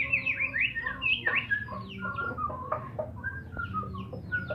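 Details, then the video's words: White-rumped shama, Medan murai batu, singing a quick run of varied whistled and chirped notes, some sliding down, over a steady low rumbling background hum. "Burung murai batu medan"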